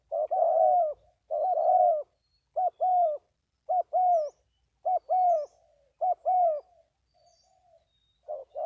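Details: Spotted dove in Vietnam cooing steadily, paired notes with a short first note and a longer mellow second, repeated roughly every second with brief silent gaps.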